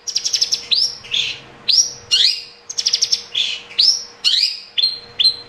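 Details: Lure recording of a long-tailed shrike (cendet) in full 'gacor' song, meant to prompt a reluctant caged bird. Rapid ticking bursts alternate with rising whistled sweeps and warbles, about two phrases each second.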